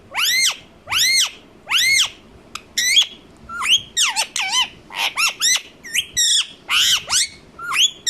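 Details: Pet Indian ringneck parakeet being coaxed by a person to talk, giving harsh arched squawks repeated about once a second, then a burst of quicker, twisting screechy notes.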